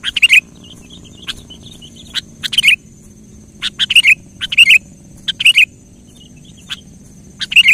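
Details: Kutilang singing to provoke a silent kutilang: brief bursts of sharp chirps and liquid warbled whistles separated by pauses of a second or more, with a soft low hum underneath.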